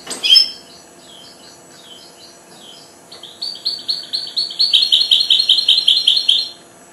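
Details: Four-month-old goldfinch hybrid that has just begun to sing: one loud sharp opening note, a stretch of soft, thin twittering, then a fast run of bright, high, evenly repeated chirps lasting about three seconds before it stops abruptly.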